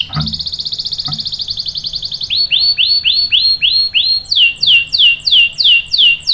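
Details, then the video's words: Lure recording of a strongly singing canary: a fast high trill, then slower swooping whistled notes falling in pitch, then louder sharp descending notes about twice per second; two soft knocks early on. "PANCINGAN KENARI GACOR cuit cuit bikin NYAUT ikut BUNYI NGEROL PANJANG ¦ CANARY SINGING"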